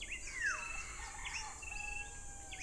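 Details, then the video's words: An unseen tailorbird, either Gray-backed or Green-backed (uncertain), calls along a trail at Tarlac Recreational Park, San Jose, Tarlac, Philippines: loud clear whistles, a sharp high note and long falling whistle, then short upslurred notes, over steady hum. "We can hear a tailorbird calling."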